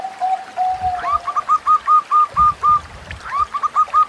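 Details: Zebra dove song played as a training aid for young birds, a series of short clipped cooing notes repeated rhythmically over a steady hum, with trickling water throughout.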